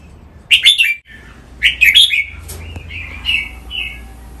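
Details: Caged red-whiskered bulbul singing in song training, with two loud bursts of bubbling whistled notes and then several softer, evenly spaced whistled phrases.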